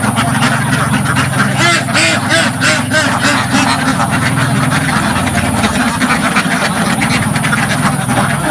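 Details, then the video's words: Ducks crowded in a village farm pen, heard up close: several clear, raspy quacks in a quick run early on, then a steadier murmur of calls over a continuous low rumble. "LOUD Duck Sounds from the Front of the Pen"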